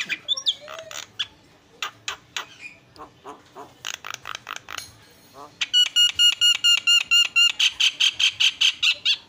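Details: Javan myna song used as training material: scattered clicks and short notes, then a fast, even series of loud ringing pulses repeated roughly three times per second for the last four seconds.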